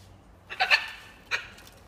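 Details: Wild macaws calling while being fed: two harsh, raspy squawks, the first drawn out and wavering, the second shorter, about three-quarters of a second apart.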